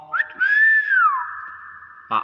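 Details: Common hill myna giving a smooth whistle that rises, then falls and holds a steady tone. A person speaks briefly at the start and again at the end.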